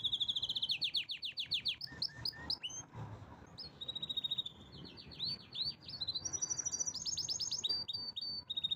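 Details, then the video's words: Pet canary in strong song: long chains of rapid high trills and rolls changing pitch, with brief slurred notes between them, over a low background hum. "Canary's most powerful song"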